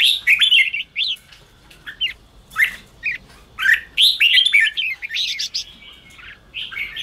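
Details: Spirited red-whiskered bulbul song for rousing caged, newly caught birds: loud, sharp whistled phrases and quick chirps, about four notes a second, irregular spacing with brief silences.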